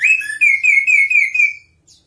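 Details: Energetic song of a Chestnut-capped thrush: one loud continuous warbled whistle that wavers up and down in quick rolling pulses for about one and a half seconds, ending with a faint high squeak.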